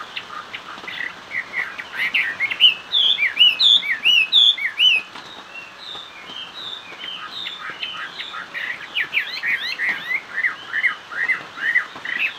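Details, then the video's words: Long hót xòe performance by a Chinese hwamei: fast, varied warbling and chattering notes, a burst of loud ringing repeated upslurs, then rapid sweeping phrases around two to three per second. "Họa mi hót xòe"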